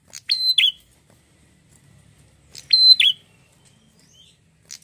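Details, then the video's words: Two loud, piercing, metallic double-note phrases from a red-headed prinia, about 2.5 seconds apart, in otherwise quiet surroundings. "prenjak gacor"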